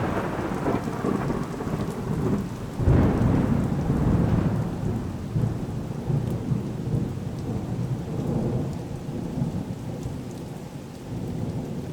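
Steady rain with a deep roll of thunder building around the third second, and no animal voices.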